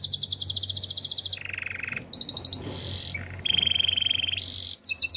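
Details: Gloster canary singing, meant for training other canaries: alternating rapid trills at different pitches, high sparkling runs switching to lower buzzy rattles and back, with brief clear tones.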